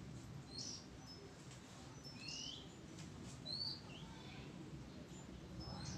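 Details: Oriental magpie-robin on 05-06-23 delivering sweet high whistles and upward-sweeping notes in quick succession, with broadband hiss and low rumble beneath.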